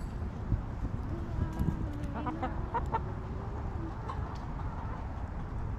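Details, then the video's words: Hens in a backyard coop cluck in a brief cluster of short sharp notes, while a long low droning tone runs beneath against a steady rumbling background. "Hens Clucking!"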